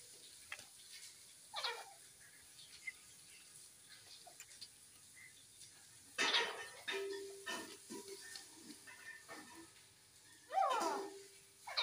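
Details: A francolin (teetar) gives three harsh, grating screeches spaced several seconds apart, each a brief broadband burst, with faint background noise between calls.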